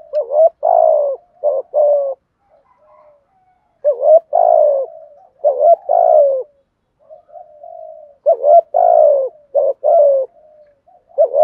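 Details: Spotted dove acting as a decoy, cooing persistently to provoke others: repeated groups of deep, burry coos with falling ends, broken by quieter drawn-out notes and short silences.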